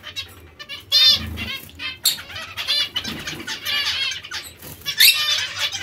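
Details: Zebra finch calls: brief, buzzy, nasal notes clustered into loud bursts, separated by quieter chatter and faint flapping.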